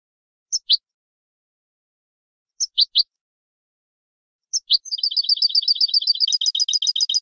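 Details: European goldfinch song played to stimulate other goldfinches to sing: paired high chirps spaced about two seconds apart, then a fast, continuous twittering trill of bright repeated notes.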